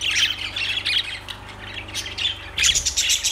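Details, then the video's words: Lovebirds chattering: dense high, squeaky chirps and harsh squawks in overlapping bursts, louder toward the end, over a steady low hum. "Lovebirds Sounds Birds Singing Birds Sounds"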